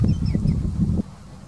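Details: White-faced ibis at Río Maldonado, Uruguay, in 2020: a quick run of low, harsh, nasal grunting honks lasting about a second, then a quiet background.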